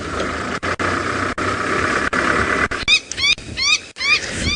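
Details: African wattled lapwing (wattled plover) on a South African sunset safari drive, 4 October 2017, giving distressed shrill, rising, harmonic-rich yelps, about two per second, as a lioness nears its nest, after vehicle engine rumble.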